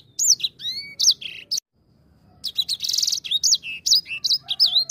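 A grey singing finch sings a rapid, varied, high-pitched song of sweet slurred whistles, trills and chirps, with one short pause, over faint low background hum.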